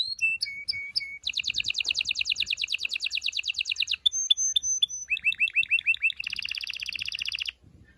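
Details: A Belgian canary sings a loud, fast, varied song of high trills, rolling chatter and sharp whistled notes, switching phrases every second or two; the song is meant to stimulate males and prepare females for mating.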